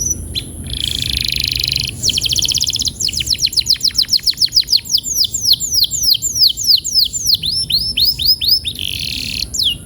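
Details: Canary song played to prompt canaries to roll quickly: a buzzy trill opening into a long accelerating run of sweeping high notes, dozens repeated rapidly over several seconds.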